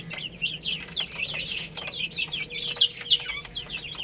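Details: Chicks feeding on rice give rapid shrill peeps, roughly three per second, short and downward-slurred, with a few louder piercing notes near the end and light tapping in the background.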